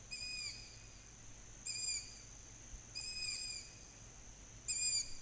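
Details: Young long-eared owls in July 2020, whistling in the evening to call their parents to feed them; four thin, high, squeaky whistles at irregular intervals of about one to two seconds over a steady faint hum.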